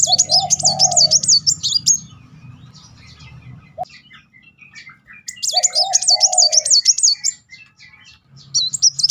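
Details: Van Hasselt's sunbird giving its rapid-fire 'nembak' song as a lure for other sunbirds: long strings of high, evenly wavy notes repeated in three bursts, each paired with a lower warbling note.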